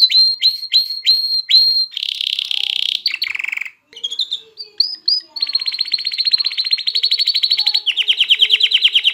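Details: Canary song meant to stir females to mate and prompt young birds to sing: repeated high chirps, then fast buzzy trills and rolling tours of rapid pulses, with one brief pause.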